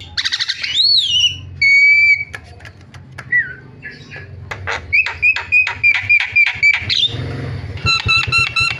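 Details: Starlings called with a lure track meant to trigger other starlings: clear level whistles and a looping whistled note, then a string of short sharp notes joined by a steady whistle, ending in rapid ringing pulses over a low hum.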